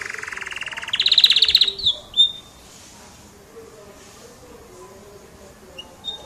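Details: Canary, an F1 bird, giving a buzzy rapid trill that rises in pitch and loudness, then breaks off into a couple of short sharp whistles followed by near silence.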